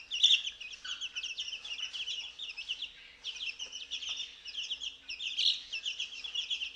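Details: Young chicks, day 14, let out while their brooder is cleaned and fed mealworms; a continuous chorus of high cheeps, one louder burst at the start and another after five seconds.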